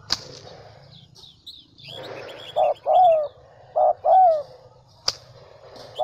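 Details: Central Highlands decoy spotted dove in Vietnam: after small birds chirp and a sharp click, two hollow coo pairs follow, each a short note and then a long, gently falling one. Another click and more twittering come after.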